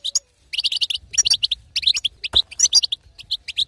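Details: European goldfinch female batbata for exciting a silent male: a brief pause, then rapid high twittering and sharp chips packed closely together throughout.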